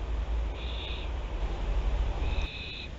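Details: Barn owls of the Théding nest family, filmed on 24 September 2021: two drawn-out, harsh, level screeches, each about half a second, one early and one near the end, over a steady low rumble.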